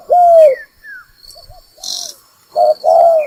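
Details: Spotted dove calling as a trapping lure: a long, husky, falling coo opens, soft short notes follow, then a short and a long coo close. Gliding whistles and a brief noisy hiss sound in between.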